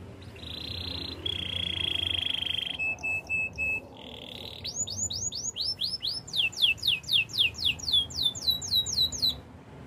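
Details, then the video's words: Canary song in the Spanish Timbrado style for training: buzzy held trills and short metallic rolls, then accelerating series of sharp upward-flicked whistles repeated several times a second. "Canary spanish timbrado song for training"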